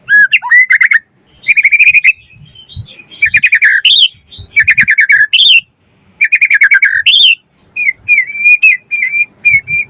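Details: Lure song of a white-rumped shama meant to set other birds singing and to tutor them: loud bursts of fast, buzzy trilled phrases alternate with short pauses, ending in a string of repeated bright whistled notes.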